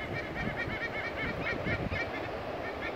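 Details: Two white-bellied sea eagles flying high at Boomerang Point, NSW, call to each other in a steady run of nasal, goose-like honking notes, several per second, over a constant low rumble of wind or traffic.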